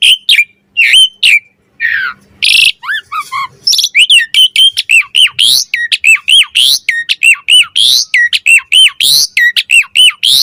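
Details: Asian pied starling performing 'mompa' variation song as a tutor and lure for starlings: opening harsh squawks and a brief chatter, then a dense, steady sequence of loud hooked whistles about once a second.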